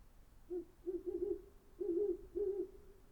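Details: Deep hooting from a great horned owl: a single hoot, then a quick stuttered run of three, a pause, and two more longer hoots, all low and soft over faint background hiss.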